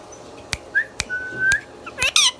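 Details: Indian ringneck parrot, a pet talking bird, making a brief slurred note and a long even whistle between sharp clicks, ending in harsh layered squawky sounds.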